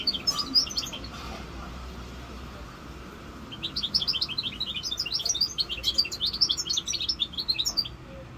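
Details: Hybrid goldfinch mule aged five months: a few high chirps, then a quiet pause, then a bright, rapid twittering song of scattered notes and short trills that builds and continues to near the end.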